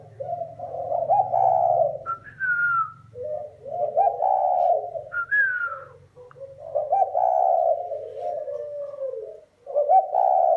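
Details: Spotted dove from a comparison of Thai and Vietnamese bred lines, delivering low, husky coo phrases about every three seconds. Each phrase is a swelling purr, and a short higher slurred note comes between phrases. A faint low hum sits underneath.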